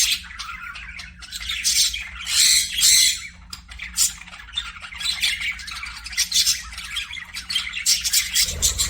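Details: Budgerigars kept as pets in an aviary, giving dense overlapping chirps and harsh squawks in a continuous bright chatter, swelling into louder bursts around the middle, with a faint low hum underneath.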